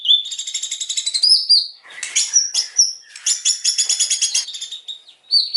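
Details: White-rumped shama singing in the 'nembak kasar' style: harsh, rapid, buzzy trills of high notes delivered in dense bursts, broken by brief pauses, with sharp whistled accents between phrases.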